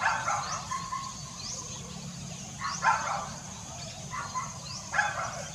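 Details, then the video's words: Harsh nasal squawks from an African grey parrot, dated 5 April 2020, coming in loose pairs with pauses of about two seconds, over continuous low rumble and faint higher chirps. "African Grey Parrot"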